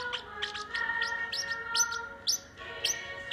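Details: A parrotlet sings along to Disney's "It's a Small World," giving quick, high, sharp chirps, roughly three per second, over the steady music with its sustained tones.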